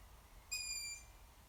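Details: Juvenile long-eared owl giving a single high, thin, squeaky whistle lasting about half a second, steady in pitch with a rich bright edge, over quiet low background hum.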